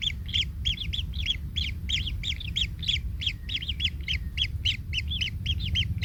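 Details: Baby kingfisher in the nest, stepped on by its parent and in pain, giving a hurried run of coarse, slightly downslurred squeaks, about three to four a second, with low rumble behind.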